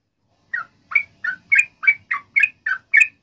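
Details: Sooty-headed bulbul song, a lure to make other bulbuls respond. A steady series of ten short, slightly husky whistled notes, roughly three per second.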